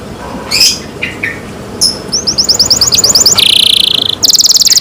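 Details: Pet canary starts with scattered soft notes, then breaks into a fast even trill of short high notes and a long buzzy rattle.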